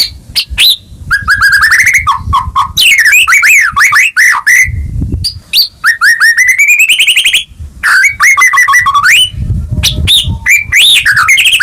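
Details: White-rumped shama in full, vigorous song, played as a lure to stir a silent caged bird into singing: loud, rapidly varied whistles, rising slurs and chattering trills. Short broadband rustling bursts sound between phrases.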